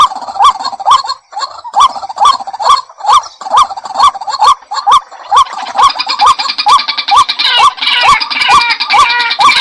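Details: Persistent hoarse, upturned calls of a White-breasted waterhen, about two per second; in the second half a denser, higher chattering layer joins behind the steady croaks.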